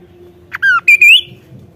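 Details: Kaso-kaso in full voice: a brief phrase of loud, clear whistles, one slurring downward and the following ones sweeping upward.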